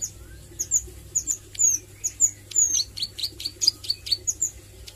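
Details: Young Bar-winged Prinia (ciblek sawah) learning to sing, in the styles called nglagu and nembak: high thin whistled notes and sharp downslurred chips, scattered and irregular, with steady low hum beneath.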